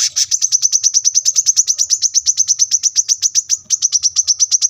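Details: ['Brown-throated sunbird singing steadily, recorded as masteran training audio for cage birds at a roadside home: rapid run of sharp high chirps, about three per second, evenly pitched throughout.']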